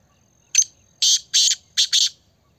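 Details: Black francolin in Pakistan: five short, dense, high-pitched buzzy bursts in quick succession over about two seconds, with a faint thin whistle running underneath and a quiet background.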